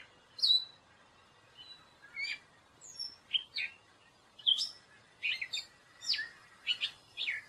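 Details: Gray catbird giving a rambling song of sharp chips, squeaky slurs and short buzzy notes, spaced irregularly, with a faint background hiss.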